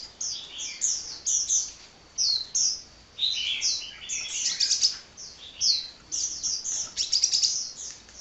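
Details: Restless hummingbird singing on and on: rapid series of thin, piercing chirps and trills, phrases every second or so, faint background hiss.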